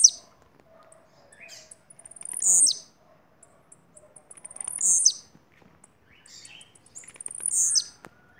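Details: Three evenly spaced, intense, buzzy, high-pitched phrases from a blue-black grassquit from Bahia, each with a falling flick, against faint clicking.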